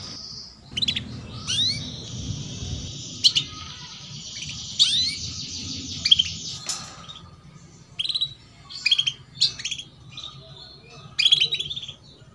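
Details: Female canary chirping as a lure for young canaries to sing quickly; a thin high buzzing trill early on, then widely spaced bursts of sharp, upslurred chirps every second or two.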